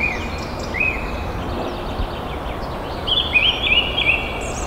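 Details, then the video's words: Crested serpent eagle calling: shrill, high whistled notes, a brief pair early and then a quick run of wavering whistles, over steady background hiss. "Crested Serpent Eagle has a lovely call"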